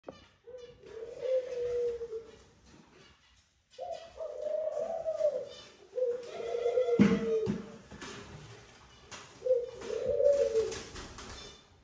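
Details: Male Eurasian collared dove calling the female to the nest during courtship, a pair at the nest; long low droning coos of about two seconds each, four in the clip, with a sharp knock or clatter midway and a quiet indoor background.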